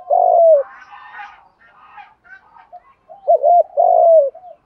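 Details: Spotted dove coos used to provoke decoy birds: a loud falling coo, then softer murmuring calls, then a wavering double note and another long falling coo, low and hollow.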